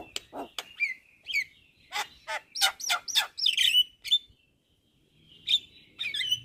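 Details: Javan myna (jalak kebo) masteran recording for training songbirds: bursts of scratchy chattering and whistled slurs in a rapid run, a brief pause, then more sharp chirps.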